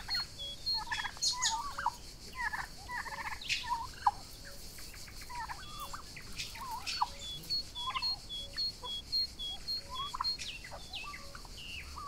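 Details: Young Royal Palm and Broad Breasted White turkeys grazing together outdoors on a summer day, giving scattered short chirps and clucks among frequent high thin whistles of small wild birds and a steady insect hiss.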